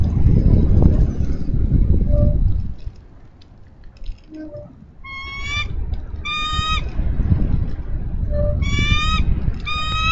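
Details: Nest camera in Minnesota, 3 May 2013: a female bald eagle calls for her mate to take over nest duty. Faint short notes come first, then four quick bursts of shrill, stuttering, squeaky piping over heavy low wind noise.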